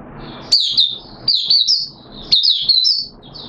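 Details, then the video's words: Captive oriental white-eye recorded 13 September 2022 while on deworming treatment sings clear, high, sliding warbles, each phrase opening with a sharp upward flick and trailing into falling chirps. "Mata Puteh T Rex Buka Sing"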